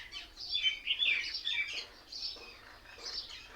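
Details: A group of mynas in one tree makes a tight cluster of shrill squeaks and whistles, then softer, sparser chirps as the chatter fades.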